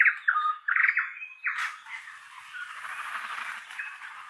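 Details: Tui in a feeding flock among oak trees, inland Kapiti, New Zealand; sharp clicking and squeaky notes at the start, then a harsh burst followed by a blurred wash of overlapping chatter.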